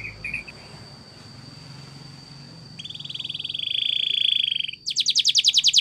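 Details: Belgian canary training song, recorded quietly: near silence at first, then a smooth buzzy rolling trill held for about two seconds, switching abruptly to a sharper, faster high trill.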